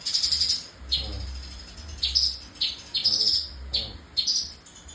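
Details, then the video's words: Sooty-headed bulbul, described as gacor (singing persistently), giving short, bright, high chirping phrases repeated about once a second, with a low rumbling hum beneath. "CUCAK KINOY GACOR ISIAN MEWAH"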